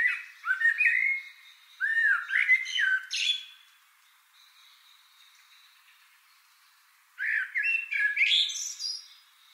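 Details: Common blackbird singing on 22 April 2018: three mellow, fluted warbling phrases, each ending in a higher, squeaky twitter, with pauses between and a quiet background.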